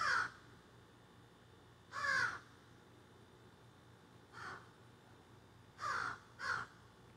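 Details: Crows that have just flown into trees behind a garden, squawking and carrying on, recorded outdoors on a cell phone: five harsh, hoarse caws at irregular intervals, some single and two close together near the end.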